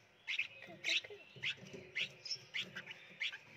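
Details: Hand-raised red-whiskered bulbul nestlings in a nursery box in Phetchaburi, Thailand, begging at feeding time: bright, short chirps about every half second, some with a squeaky upward flick, over low handling noise.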